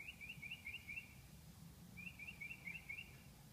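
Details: A male northern mockingbird singing at 2 am in the night: two separate bursts of quick, high, chattering notes, each lasting about a second and separated by a pause, faint above a low rumbling background.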